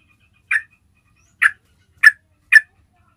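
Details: Yellow-vented bulbul lure call used to draw in other bulbuls: four short, bright, chirping notes spaced irregularly, about half a second to a second apart, on a quiet background.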